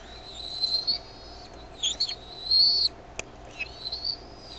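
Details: Bald eaglets at Decorah on 13 May 2015, 6:35 PM CDT, begging as their mother brings food. Several drawn-out, thin, high whistles with short breaks and one sharp tap.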